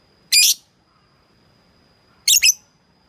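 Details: Lovebird calling a rival, two harsh, high, shrill squawks about two seconds apart, the second split into a double note, with a faint steady tone and quiet background.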